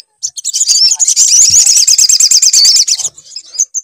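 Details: Lure song of a sunbird, meant to set a bird singing: one continuous, very fast, high-pitched twittering trill of looping notes lasting about three seconds, ending in a few thin chirps.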